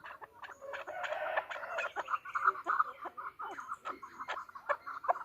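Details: Female chukar partridge calling: a run of short clucking notes at a mid pitch, repeated several times a second, with a burst of rougher broadband noise near the start.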